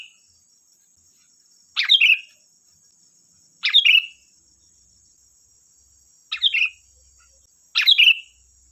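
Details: Lure recording of a sooty-headed bulbul meant to make other bulbuls respond: brief sharp chirped phrases that drop in pitch, four bursts spaced one to three seconds apart, over a steady high electronic-like tone.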